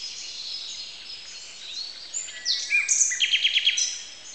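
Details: Common nightingale dominating a dawn chorus of about 30 species on a Hungarian farmstead at 05:01 on 1 May 2010: high whistles and sweeps, then a fast run of five loud repeated notes near the end.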